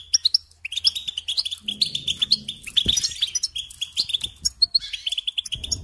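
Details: European goldfinch lesson song for teaching young birds: chattering series of bright, liquid chirps and occasional high whistled notes, with a short low rumble near the three-second mark.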